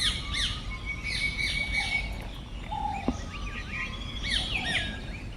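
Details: A busy forest chorus of several birds in the Motichur range of Rajaji National Park, Uttarakhand, India, heard on safari: repeated high chirps and whistled notes, some sliding, overlapping throughout, over a low rumble.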